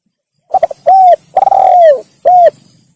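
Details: One full spotted dove phrase used to lure wild doves: quick stuttering notes, a clear coo, a long falling purr and a final short coo, loud and close.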